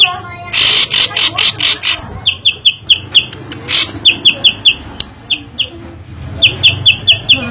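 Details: Drongo in loud, varied song: a run of sharp, high, clipped notes repeated two to three times a second, broken by harsher raspy bursts, over steady low background hum.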